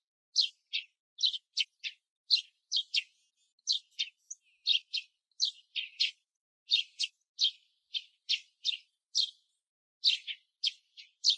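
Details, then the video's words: Male Eurasian tree sparrow singing: a steady run of sharp, metallic chirps, two or three per second, with no other sounds. "スズメ♂ 鳴き声Song / Eurasian Tree Sparrow"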